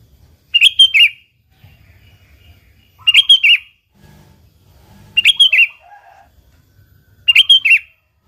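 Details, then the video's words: Sooty-headed bulbul singing steadily in an original recording intended to lure other bulbuls into song; dense phrases of four ringing notes ending in a downward slide, repeated about every two seconds, with soft low calls in the gaps. "Suara Burung Kutilang Gacor ASLI Tanpa isian,Ampuh tuk pancingan Kutilang bikin kutilang Ribut gacor"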